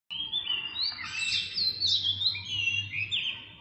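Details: Philippine magpie-robin singing on April 14, 2022: a continuous run of varied, fluid whistled phrases, sliding up and down between mid and high pitch with scratchy ornaments, no pauses across the stretch.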